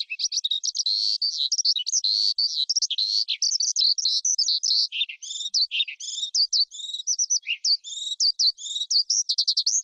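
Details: Almost ten seconds of continuous skylark song: warbled, buzzy phrases, fast repeated trills and sharp chirps, constantly varying, with no other sounds.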